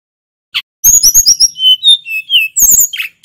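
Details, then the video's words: Snowy-browed flycatcher in full gacor song, used to coax other songbirds: one short note, then fast high twitters and clicks giving way to several thin sliding whistles and a final chattering burst. "Suara tledekan gunung gacor | Pancingan burung Sulingan bakau & sikatan laut supaya cepat fighter"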